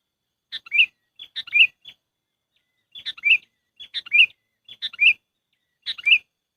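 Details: Sooty-headed bulbul call played as a trapping lure: six similar bubbly chirped phrases, each a sharp note then a warbling slur, repeated roughly once a second with a short gap midway.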